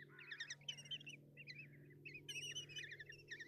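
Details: Common kestrel nestlings in Tiszalök, Hungary, 30 June 2024, being fed breakfast by the mother: separate short wavering squeals and trills, some rising, in uneven bursts, over a soft low hum.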